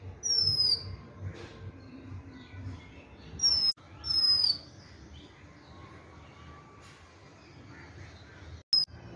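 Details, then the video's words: Oriental magpie-robin giving high, pure whistles that glide downward, one at the start and a close pair a few seconds later, then a faint final note, over a low background hum with a few sharp clicks. "Oriental magpie-robinBird's sound"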